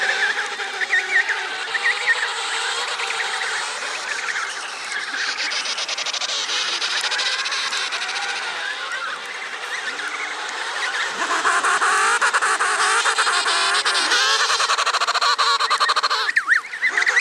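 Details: Thousands of emperor penguins recorded on site in Antarctica by a polar research institute; a dense, continuous chorus of overlapping wavering trumpeting calls, layered and harmonic, swelling louder toward the end, like a vast noisy crowd.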